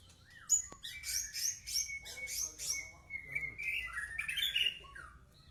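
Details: White-rumped shama song: bright, quick high notes repeated about every quarter second, then a long level whistle and a rising, warbling phrase with sweeping slurs near the end.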